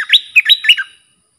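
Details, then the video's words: Bulbul song used to teach hand-reared young birds, in styles called sap dok, boen and rik: one quick warbled phrase of about six clear, rising-and-falling whistled notes, then silence. "เสียงนกดอกแตงEp.122สำหรับหัดลูกป้อน/ลูกเสอ มีครบในครบในคลิปเดียว สับดอก-เบิ้ล-ริก เพลงเพราะน่าฟัง"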